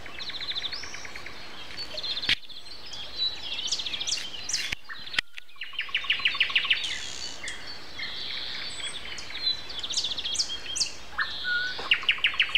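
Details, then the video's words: Morning chorus at 7:55 on April 29 with a common nightingale among other songbirds; rapid runs of sharp repeated notes alternate with whistles and high chirps, broken by short clicks and bumps. "Morning concert. Nightingale and Со."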